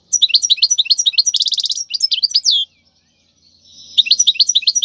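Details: Wild European goldfinch song for teaching fledglings: repeated bright chirps, a short buzzy trill, a descending slur, a quiet gap, then twittering resumes.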